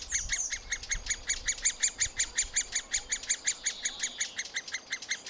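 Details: Young middle spotted woodpeckers receiving food at the nest, recorded with a Panasonic FZ 2000: regular raspy calls repeated almost three times a second, with a slurred squeaky note near the opening and a few low bumps.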